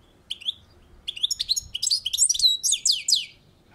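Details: Balcony European goldfinch singing a lively run of high, liquid twitters and tinkling, swooping notes, building into a dense, rapid stream over about three seconds.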